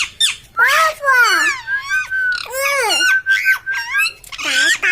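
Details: Parrot talking indoors: a run of squawky, speech-like syllables with sliding harmonic arcs, broken by a long, level whistled note held through the middle, then more chattering syllables at the end.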